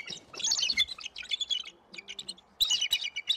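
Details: Bald eagles in Iowa, November 2022, scolding an intruder with fast, squealing chitters that rise and fall, a pause, then another sharp chattering burst.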